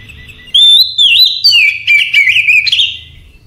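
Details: Oriental magpie-robin at night delivering one lively song phrase lasting about two and a half seconds. A bright sliding whistle leads into a quick jumble of warbles, trills and high chipping notes. Soft low rumble underneath.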